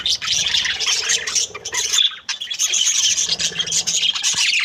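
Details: Happy Australian budgie breeding pair: continuous busy chatter of high, rasping chirps and squeaks, briefly broken by a short pause before the dense warble picks up again.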